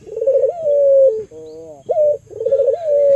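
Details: Barbary dove, an albino local bird used as a lure to get other doves calling: a purring trill swells into a sustained clear note, a softer wavering tone follows, then another trilled coo.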